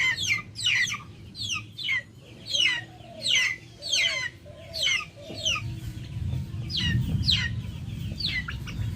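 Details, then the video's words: Backyard chickens outdoors. Loud, falling chirps repeat about every half second, with soft low clucks under them. Later the peeps thin out and a low rumbling background rises. "Backyard chickens making noise"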